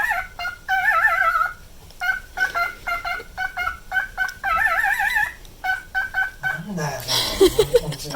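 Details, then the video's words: Pet cockatiel, a nine-year-old male, mixing short repeated whistled toots with two quavering vibrato phrases; a low voice and rustling noise come in near the end. "オカメのビブラートに笑いが堪えきれなかった件［Cockatiel Vibrato］"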